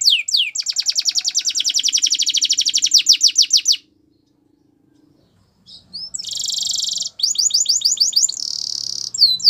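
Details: Canary song for training, with long rapid trills of repeated high notes, then a pause and a buzzy high roll followed by more fast descending note series.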